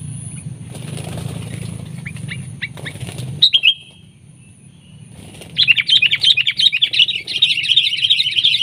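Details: Wild sooty-headed bulbul in the field reacting to a decoy bulbul used for trapping: after a few high chirps and a low rumbling background, a fast run of bright, bubbly chirping notes repeats steadily for the last three seconds.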